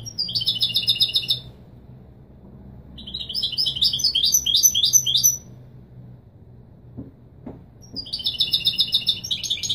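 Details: Goldfinch song in the traditional Marrakech 'Widani' style, used for tutoring fledglings: three bursts of quick, metallic, twittering trills, with quiet gaps between them and a few soft clicks in the second pause.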